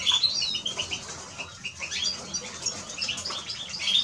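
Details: Short burst of Eurasian siskin song, a fast high twitter with a few bright whistled slides at the start and end.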